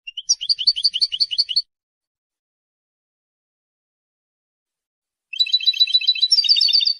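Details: Territorial and courtship song of a European goldfinch, a bird able to sing long without interruption: a rapid, evenly repeated high trill, a long silent gap, then a denser, richer twittering trill.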